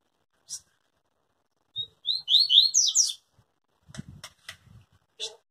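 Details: Yellow-bellied seedeater, a pure tui-tui singer that never breaks its song: a short call, then a rapid phrase of bright slurred whistles. Sharp clicks and rattling knocks follow the song.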